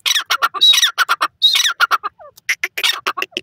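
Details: A teetar, or francolin, gives loud, harsh, rasping calls in rapid, uneven bursts, each a dense, grating rattle with brief whistled tones inside, and barely any pause between phrases.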